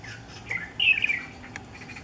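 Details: A single Chinese bulbul sings at sunrise in Miyun, June 2014, apparently courting: a brief chirp, then a louder tumbling phrase of quick, bright slurred notes lasting about half a second, against faint background hiss.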